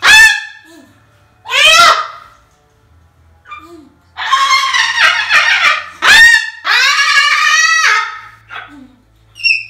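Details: Pet male Moluccan cockatoo indoors, which its owner says is often this loud, gives loud, harsh, rasping screeches, several long bursts in about ten seconds, with a person's voice briefly in between.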